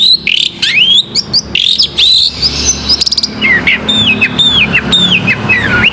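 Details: Long-tailed shrike singing on a bait recording meant to spur a quiet shrike into song. The bird gives varied, high swooping whistles with a brief rapid buzzy trill midway, then descending slurred notes. A faint low hum runs underneath.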